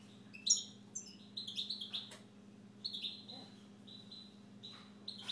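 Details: Siberian goldfinch kept as a pet, singing indoors: bright, high twittering phrases of quick chirps and short buzzy notes in bursts, with pauses between them, over a steady low electrical hum.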